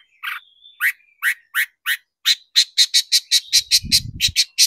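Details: Long-tailed shrike lure recording to stir shrikes into singing: thin whistled slurs give way to quickening, sharp, high, repeated notes, with a short low rumble near the end.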